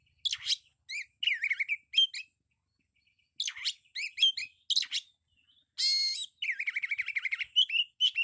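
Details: Loud kacer, the Oriental magpie-robin, singing with full 'isian': chirp clusters and a noisy downsweep, a brief lull, more chirps, a harsh buzz with an upward whistle, then a long rapid trill.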